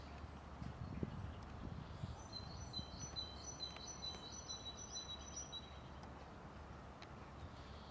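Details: Eurasian nuthatch (Sitta europaea) gives a quick series of thin, high, piping call notes lasting a few seconds, half-buried under distant traffic rumble; Tivoli Landscape Park, Ljubljana, Slovenia, 8 April 2024.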